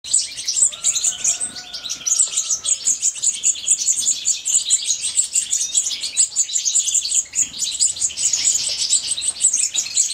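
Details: Female European goldfinch feeding her chicks; dense, continuous high-pitched chirping and squeaky begging-like calls fill the whole stretch, with a faint lower whistled tone early on.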